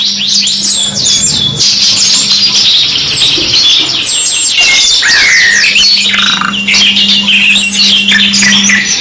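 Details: Canary song from a '2 in 1' masteran training track: dense, fast high trills and sharp whistled notes rolling on without pause, layered thickly, over a steady low electrical hum that drops out in the middle.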